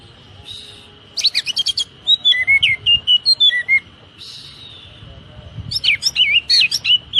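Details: Oriental magpie-robin 'tembakan rapat' training song for caged birds: fast strings of sharp, high chipping notes and short whistles, several per second, over a steady low hum and background noise.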